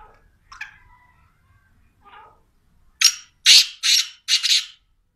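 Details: A black francolin (teetar) call: a couple of soft, thin notes come first, then four loud, coarse, buzzy bursts crowded into under two seconds.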